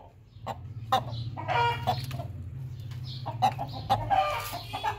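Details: Hen noisily calling after laying an egg: scattered clucks and a few drawn-out squawks over a steady low hum.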